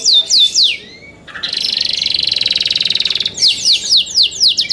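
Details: Young canaries in song: a few high down-swept notes, a short pause, a long rapid buzzing roll, then more falling whistled notes at a lively pace.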